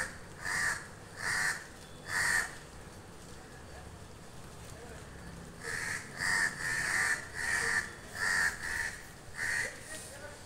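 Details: Crows calling the person recording, a run of loud harsh caws: three spaced calls, a pause of about three seconds, then a rapid series of six or seven caws, with faint background murmur.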